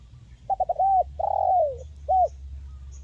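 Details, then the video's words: Spotted dove giving a crisp 'mersik' call, used as therapy for birds reluctant to sing. Three quick stuttered notes lead into a smooth coo, then a long slurred coo that sinks in pitch, and end with one short rounded note. "SUARA BURUNG TEKUKUR MERSIK"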